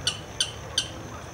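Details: Blackish rail (Pardirallus nigricans) alarm call in a marsh in an urban park in Santo André, Brazil: three short, harsh, squeaky notes about a third of a second apart, over a faint low hum.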